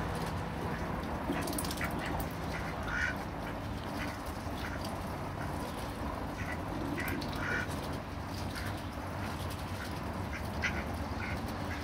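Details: Fighting ducks caught on a Panasonic SD9; scattered nasal quacks come in loose bursts, some close and loud, others faint, with a constant low rumble underneath.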